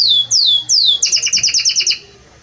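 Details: Belgian canary song: three clear, down-slurred whistles followed by a fast trill of about ten short high notes, then the song stops.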